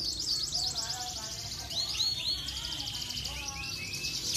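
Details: A canary sings a fast, continuous run of high rolling trills and bright chirps, with lower warbled notes woven in and a faint background hum.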